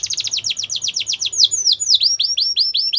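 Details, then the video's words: A yellow canary sings in the wild. A quick series of sharp downslurred whistles, about ten a second, slows into longer sweeping slurred notes and then speeds up again. Faint low hum behind the song. "Yellow Canary Singing In The Wild"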